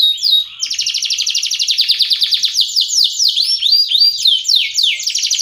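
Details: Indonesian canary from Ciamis delivering a loud rapid song: a brief buzzy intro, then a dense fast roll of repeated sweeping notes that slows into broader descending slurs.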